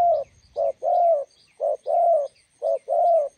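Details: Spotted dove by a road in Gia Lai, Vietnam, decoy meeting a wild bird: three clear phrases, each a brief coo then a longer hoarse drawn coo, about one per second, faint chirps high above.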